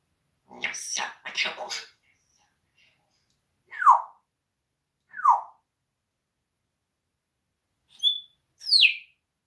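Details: Foul-mouthed pet parrot, talking with its owner and swearing during a live stream, indoors: two raspy speech-like bursts, then three short falling whistles spaced about a second apart and a final high sliding chirp, quiet room between sounds.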